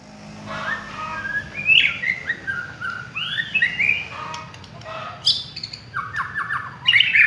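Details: Village white-rumped shama lure song: sweet fluting whistles and slurred notes woven into a flowing phrase, ending in quick high chirps, with a soft hum below.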